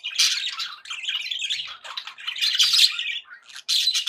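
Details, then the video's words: Happy budgies chattering: rapid, grating warbles and buzzy squawks run together almost without a break, ending in a short pause before a final loud burst. "happy budgie sounds"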